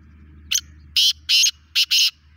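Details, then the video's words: Black francolin (desi kala teetar) calling: a brief rasping note, then four loud, harsh, broadband notes paired in a rhythmic phrase, over a faint low hum. "Desi kala teetar ki awaz"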